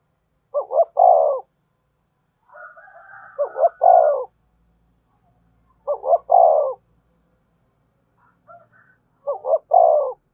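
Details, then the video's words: Spotted dove calling to draw wild doves in quickly: four low phrases, each a quick two-part stutter followed by a longer mellow coo, spaced about three seconds apart, with a brief rough, higher sound between the first two. "Tiếng chim cu gáy thúc bổi, bổi nghe rất nhạy gáy và về cội nhanh"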